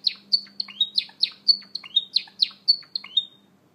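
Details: Java sparrows after eating maggots, with babies present, give a quick run of sharp, high chirps about four a second, some ending in a falling slur, over a faint low hum.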